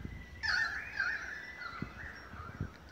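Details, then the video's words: Australian magpies singing in Beverly Hills, Sydney, Australia, August 2015: a sudden rich burst of blended warbling with a steady high whistled tone, fading into softer drawn-out notes. "Magpie concert"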